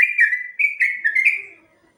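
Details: Sooty-headed bulbul in a long ropel song used as training material for other birds. Short, clear whistled phrases swoop down and up, then the sound fades into quiet.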